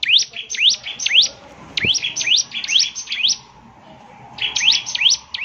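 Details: Song of a bar-winged prinia: quick runs of high, sharply swooping chirps, each dipping and rising, delivered in fast strings of about five with a brief lull before the next run; one short click midway.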